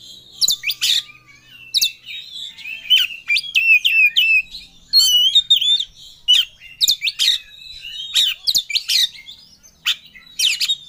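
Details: Oriental magpie-robin, a kept songbird, in aggressive full-emotion song as if seeking a rival: rapid bursts of loud whistles, sharp chirps and sweeping notes, tumbling on almost without a break.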